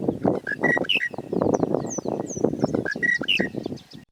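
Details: A Monotonous Lark in open grasslands of Kruger National Park repeats its monotonous short phrase of clear whistled notes and high slurred chirps, heard twice, over a dense, rough low rumble of background noise.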